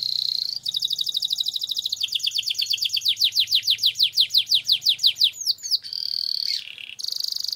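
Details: Long rolling canary song, gacor style, played as a lure for training: a high buzzy note, then a long series of rapid down-slurred trills slowing into separate loud sweeps, followed by more buzzy rolls.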